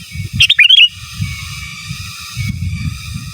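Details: Sooty-headed bulbul singing 'gacor giras' and 'menggaruda' style as a master song for training birds: one quick phrase of stuttering chirps running into a short warbled whistle, followed by low rumbling background noise.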